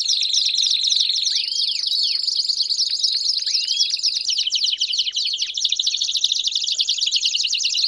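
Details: Several Belgian canaries singing together: a steady high whistled tone with downward sweeps, then a dense rapid rattling trill filling the second half.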